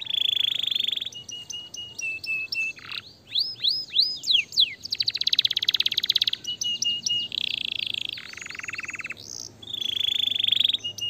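A canary sings a long, varied song: rapid buzzy trills, rolling churrs and a run of sweeping whistled notes, high-pitched and nearly continuous.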